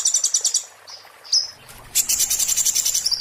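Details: Oriental white-eye giving its 'muntah beling' song, used to tutor magpie-robins: a fast high-pitched trill, then a few thin chirps, then a dense shrill rattling trill running to the end.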